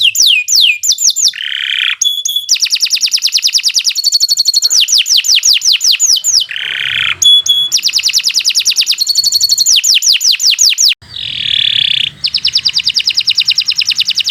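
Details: Canary in long continuous song, a tutor track for teaching other birds: fast descending whistles, buzzy mid-pitched rolls, and long even trills repeated many times, each phrase breaking briefly before resuming.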